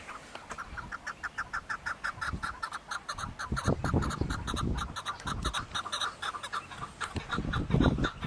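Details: Chukar partridge giving a fast series of repeated clucking chuck notes, rhythmic and continuous, over low rumbling background noise.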